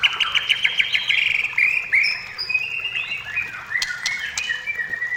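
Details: White-rumped shama song used to lure shamas into singing: a rapid stuttering trill, then long sweeping whistles and scattered sharp clicks.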